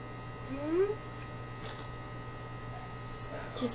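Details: Quaker parrot kept as a pet in a small room, producing a brief rising whistle followed by faint chatter, with a constant mains hum underneath and a person speaking afterwards.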